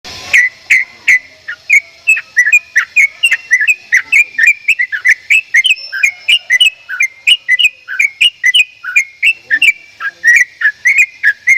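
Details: Javan myna giving unusual, strange-sounding vocalizations: a fast, steady series of short whistled chirps, each bending up and down, repeated roughly three times a second for the whole stretch with no other sounds.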